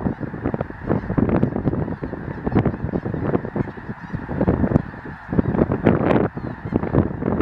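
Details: Huge numbers of snow geese passing through the Missouri River valley at Chamberlain, South Dakota, on migration in March 2013; a thick, steady chorus of honks, harsh and overlapping, with occasional louder calls rising above the crowd.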